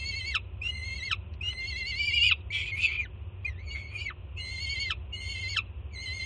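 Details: Jersey City peregrine falcon chick, late June 2017, screaming with excitement at its mother's arrival with food; a string of about eight harsh screams, a few rougher and broken mid-sequence, each dropping sharply at the end.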